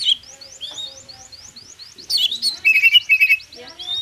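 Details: Oriental magpie-robin singing the 'konslet' style, played to prompt silent magpie-robins into song: a fast run of thin rising upswept notes, then a loud chattering, warbling burst of varied whistles.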